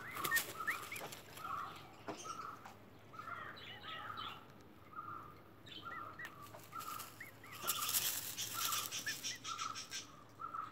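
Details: Emu chick on its day of hatching gives a run of small arched whistled peeps, irregularly spaced, over a constant hum with scratchy rustling and handling noise.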